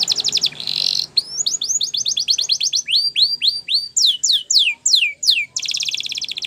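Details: Training song of a Spanish Timbrado canary: sharp repeated falling sweeps in series of varying speed, a brief buzzy roll, and a closing dense high trill, loud and continuous.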